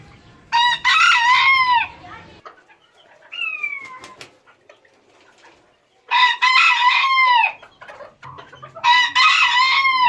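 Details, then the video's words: Rooster crowing as one of several varied crows: three loud hoarse drawn-out crows separated by a few seconds of quieter clucks, faint calls and clicks. "ETKİLEYİCİ HOROZ SESİ BU SESLER HOROZLARI KUDURTUR !! ÇEŞİT ÇEŞİT HOROZ ÖTÜŞÜ"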